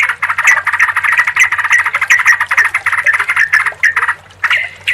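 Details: Combined sooty-headed bulbul sounds intended to coax a silent, stressed bulbul into singing: a continuous stream of rapid, rattling chatter with brief whistled accents, a short gap near the end, and a faint low hum beneath.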